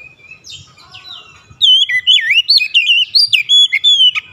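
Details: Magpie-robin song used to draw other magpie-robins into singing: soft scattered warbles, then from midway a loud, fast sequence of clear looping whistles and trills continuing to the end.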